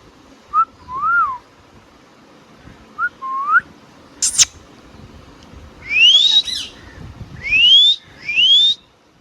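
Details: Pet Indian ringneck parakeet calling: short clear whistled notes, each bending up then down, then a sharp harsh chirp and three loud rising whistles sweeping upward, repeated about once a second near the end; faint room noise behind.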